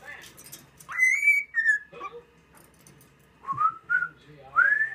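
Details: A cockatiel whistles the Andy Griffith theme tune in clear, sliding notes, recorded 9 September 2016.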